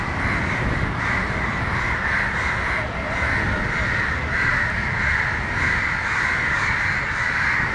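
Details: Crows mobbing a dog in Matara, Sri Lanka, defending a crow struggling on the ground; a constant chorus of raspy overlapping caws, some strident peaks standing out, over persistent low-pitched background noise.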